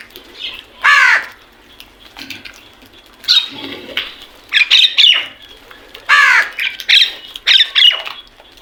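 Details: Crows calling in the morning: loud, harsh, hoarse caws with descending harmonics near one second and again around six seconds, mixed with shorter squawks and high chirps from other birds.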